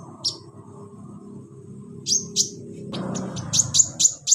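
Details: Kolibri ninja sunbird kept in a cage, sounds played to coax a reluctant bird into song: a few isolated sharp high chips, then a quickening run of bright, clipped tweets near the end over a faint low hum.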